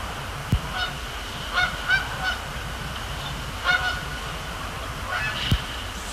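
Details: Canada geese on a Thursday night, 26 October 2017, at Sapsucker Woods Pond, Cornell Lab of Ornithology, during fly-overs and splash-downs; repeated short honks in small bursts, about six, over a low rumble with occasional sharp clicks.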